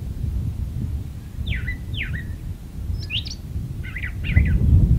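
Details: Brown thrasher song from a magnolia tree: two matching falling whistled slurs, then a buzzy note and a doubled chattering phrase, heard against a loud low rumble.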